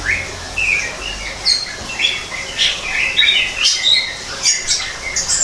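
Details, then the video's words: In an aviary built to resemble a natural habitat, a greater green leafbird gives a lively run of clipped whistles and chirps, pitch jumping between notes, with a few brighter buzzy bursts midway. "kicau cucak ijo di alam buatan"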